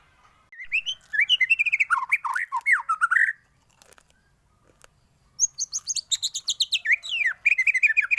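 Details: Full 'isian' song of a white-rumped shama, offered as a master for teaching birds. Two long runs of rapid whistled notes, the first swooping low, the second starting high and shrill, split by a two-second pause.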